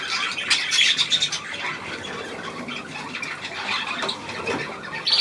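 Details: Budgerigars on 9 February 2024 let out a burst of loud grating squawks and chirps early on. Softer, sparser chatter follows, and a sharp squawk closes it.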